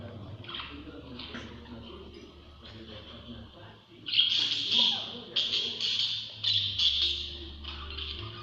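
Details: A pet budgerigar, reacting after watching a budgie video on a tablet, chatters in bursts of bright, scratchy chirps and warbles over a low background hum.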